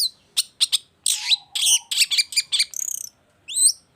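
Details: Long-tailed shrike singing loudly: clipped high notes, a harsh broad rasp, rapid scratchy phrases and a fast trill, then a rising two-part whistle at the end.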